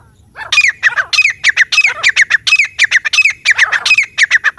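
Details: Grey francolin from a jungle setting calling in a steady, rapid run of loud, grating squawks, roughly three or four per second, each note harsh and rasping.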